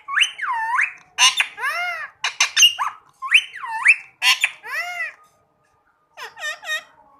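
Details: Rose-ringed parakeet, a talking parrot, repeating loud harsh looping screeches in a steady series with short pauses. A quieter run of quick squeaky notes closes the sequence in a small indoor space.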